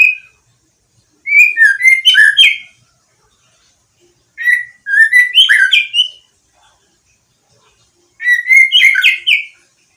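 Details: Five-month-old white-rumped shama of a champion line, recently moulted and already singing actively: three bursts of rich varied whistled phrases, each about one and a half seconds, separated by silent gaps of several seconds.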